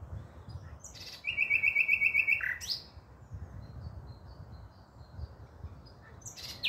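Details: Common nightingale in song, recorded 5 May 2023. A short burst of rapid, evenly spaced notes rattles out for about a second between quiet pauses, with a few scattered high chips around it.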